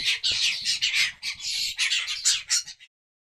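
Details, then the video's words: Spotted bowerbird giving a harsh, grating run of hissy churrs and rasps, rapid and uneven, lasting about three seconds. "Spotted Bowerbird"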